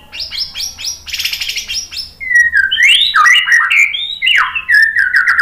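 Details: White-rumped shama in full song, used to trigger singing in other birds: rapid repeated high notes at first, then rich looping whistled phrases that rise and fall in quick succession.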